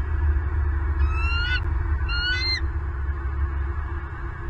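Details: At a Southwest Florida nest, bald eagles call on the morning of 25 November 2022, 07:07: two squeaky, upward-sliding whistled chitters, each about half a second long, set against constant deep background rumble.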